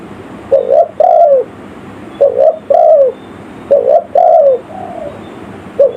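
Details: Spotted dove lure call in the village style, used for attracting wild forest birds: a short two-part coo followed by a longer falling coo, the phrase repeated about every one and a half seconds against steady background hiss.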